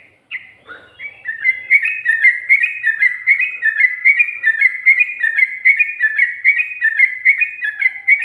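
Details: A yellow-vented bulbul sings in the ngikluk style, also noted for ngGARUDA phrases, in 2020. After a few opening chirps comes a long steady run of paired bubbling whistles, over a dozen in a row, each about half a second apart.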